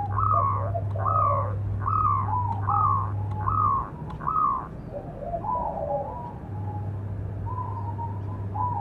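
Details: Local zebra dove with a strong voice, calling to provoke and train other doves: a series of short, even coo phrases repeated about every second, fading into softer, lower coos, with a steady electrical hum.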